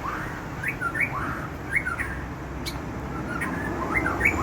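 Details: White-rumped shama, a captive bird in full song: short clear whistled notes sweeping up and down, repeated in quick pairs, over a steady low mechanical hum.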